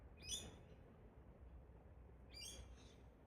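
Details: Wild pair of Galahs, or Rose-breasted Cockatoos, in park trees in Australia during a bonding display. Two harsh, rasping screeches about two seconds apart over a quiet, low background hum.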